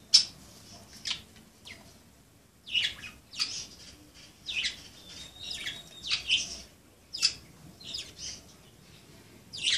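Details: Pet budgerigars at play chatter steadily: repeated scratchy chirps and squawks with an occasional short whistled tone, spread evenly through the recording indoors.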